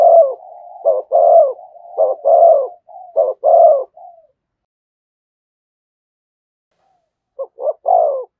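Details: A spotted dove coos in the rapid 'thúc gù' style beside a decoy. Soft, low coos come in quick runs with drawn-out notes for about four seconds, then silence, then a fresh burst.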